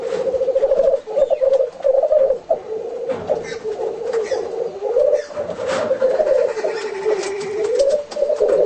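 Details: Black grouse display: a continuous low, bubbling, dove-like rookooing that rises and falls, broken by a few sharp hissing sneezes.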